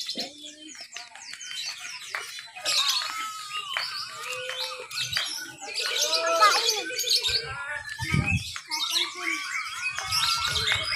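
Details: Lovebird contest entry in Papua, Indonesia, 31 October 2021, chattering 'ngekek' while crawling on cage bars: waves of rapid squeaky twitter with curved whistled notes, murmuring people and a brief low thump in the background.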